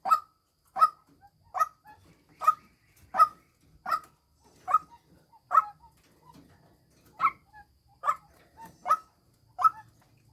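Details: Series of hoarse honking calls from a decoy female white-breasted waterhen, about a dozen notes with a brief pause midway, softer faint sounds in between.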